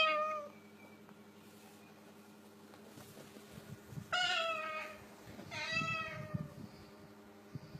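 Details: Cockatoo mimicking a cat's meow while mingling with kittens: a faint whine at the start, then two loud, harsh, drawn-out meows a second and a half apart, over a steady low hum.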